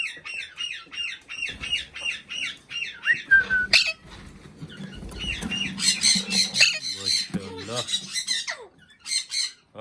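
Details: Talking Indian ringneck parakeet repeats quick squeaky chirps about three times a second, then breaks into rough squawks and scratchy chatter.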